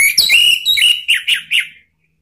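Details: Male orange-headed thrush singing spontaneously, used as a lure to provoke other birds to sing: loud, rich whistled phrase around two seconds long, sweeping and warbling, with several short rising-falling notes near the end.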